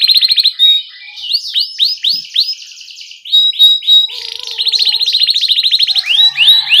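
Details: Canary in full song, meant to teach young canaries: quick trills, then a run of separate upswept whistled notes about three per second, then a long fast trill ending in more swept notes.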